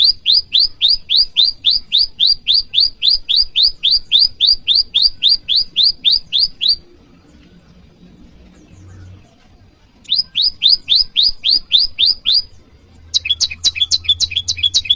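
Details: Bar-winged prinia calling to rivals, used to lure wild birds and train caged ones: long bursts of rapid, upswept high chirps about four per second, broken by a pause, then a shorter burst and a different, more clipped note series.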